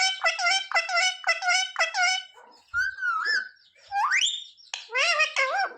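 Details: Pet parrot repeating speech-like syllables about once a second, then a sliding whistle and a sharply rising squeal, followed by more harmonic talking notes.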